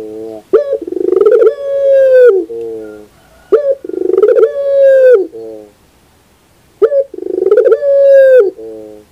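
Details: Puter pelung dove cooing in the morning: three long calls about three seconds apart, each opening with a rapid stuttering burst, then a sustained steady mid-pitched tone dropping at the end, followed by a short lower note.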